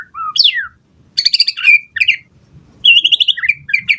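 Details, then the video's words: White-rumped shama song used as a lure to provoke other birds to respond and as a master recording for training: loud whistled phrases, sliding and rising notes, with quick trilled bursts separated by short pauses. "Pancingan Murai Batu Gacor Cepat RESPON Langsung NYAUT Auto BONGKAR Buat Masteran Suara Burung Murai"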